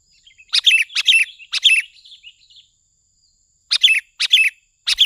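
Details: Sooty-headed bulbul used as a lure, giving short bubbly phrases of bright, jumbled chirping notes in quick bursts, three together, then a pause of about two seconds, then three more, with a faint steady high tone throughout.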